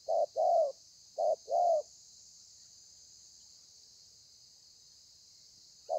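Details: Wild-caught spotted dove in thổ pha style, 30/11/2020: two quick pairs of soft hollow coos, then a long quiet stretch with only hiss before another coo begins.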